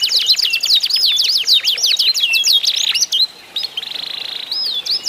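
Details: Canary (kenari isian) song in a singing contest, played as sound therapy to prompt other canaries to sing. A rapid run of high, sharp descending whistled sweeps, several per second, gives way to a dry buzzy trill, then brief rising whistles.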